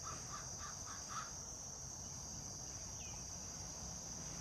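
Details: Crow heard in the background, its odd 'talking' calls: five short, hoarse, evenly spaced notes packed into just over a second, then quiet, over a steady high insect hum.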